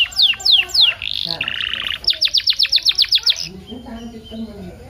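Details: Canary song used to coax caged canaries into singing: three sharp downslurred whistles, a buzzy rattling phrase, then a crisp run of repeated chips, fading into faint low tones.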